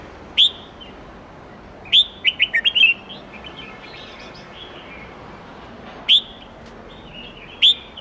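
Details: Red-whiskered bulbul giving forest-standard song in the 8-9-10 note style, meant for training young birds. Sharp single whistled notes are spaced apart, with one rapid run of about five rising and falling warbles in between.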